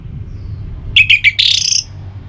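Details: Orange-headed thrush from Singaraja, North Bali, used to prompt kept birds into song: three short sharp whistled notes, then a burst of dense, buzzy, high twittering lasting half a second, over faint low rumble.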